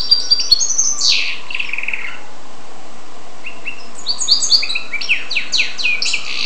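A goldfinch–canary hybrid sings bright, rapid twittering phrases of high trills and buzzy falling notes in two bursts, over a faint low hum.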